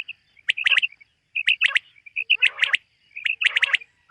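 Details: Summer meadow, morning: common quail phrases come in four clear bursts, each a run of quick sharp strokes over a whistled note, about one phrase per second, otherwise quiet.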